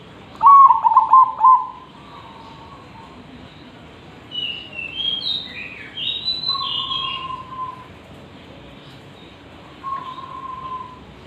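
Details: Zebra dove song used to train other birds: a quick burst of four hooked coos opens, followed by higher whistled phrases from other birds and a few long faint even tones.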